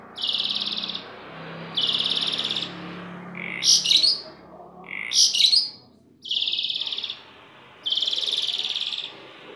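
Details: Kept starling in full song: long buzzy, rasping notes alternate with two bursts of sharp chattering chirps, each phrase about a second long, over a low hum.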